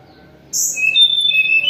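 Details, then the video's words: Sunda robin, moulting but singing keenly: a brief high thin note followed by two long, clear level whistles. "KICAUAN TLEDEKAN GUNUNG, mabung tetap gacor"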